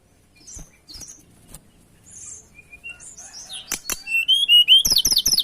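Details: Tledekan singing in breeding condition while seeking a rival. Scattered soft high chirps build into loud, rapid, rising whistles and quick repeated trilled notes toward the end.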